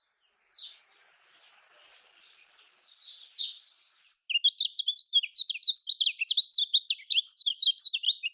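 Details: Kecial kuning, or lemon-bellied white-eye, in typical Lombok song. A few soft, faint notes over hiss give way to a loud, rapid chatter of sharp, high chirps lasting about four seconds.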